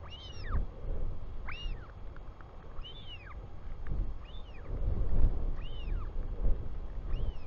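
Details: Royal albatross chick greeting its father back at the nest in New Zealand, 24 July 2020, 4:06 pm: six repeated arched whistled cries, evenly spaced about 1.3 seconds apart, over strong wind rumble.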